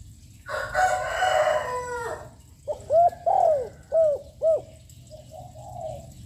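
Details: A young spotted dove with a loud voice, cooing nonstop to rouse other doves, gives a phrase of four rounded, hollow coos after a rooster crows loudly at the start.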